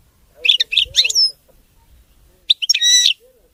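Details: European goldfinch, the king of songbirds, in clean song: a quick run of twittery, buzzy notes ending in a drawn-out high whistle, a pause, then a tinkling chirp and a rich trilled flourish.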